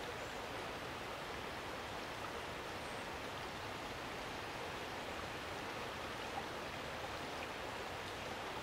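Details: Soft, even rushing of flowing river water by the Potomac in spring, with no animal calls heard.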